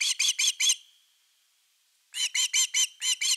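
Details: Wild osprey calling at a Finnish nest on an August 2021 evening when a fish arrives: four quick piercing whistled chips, a short silent gap, then six more clipped high yelps in a rapid burst.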